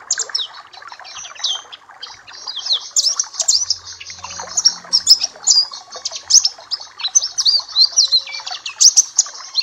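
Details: Papua black-capped white-eye song for training other birds: high, quick chirps and sweeping whistles in dense phrases, with a brief clear lower whistle late on and quiet background chatter.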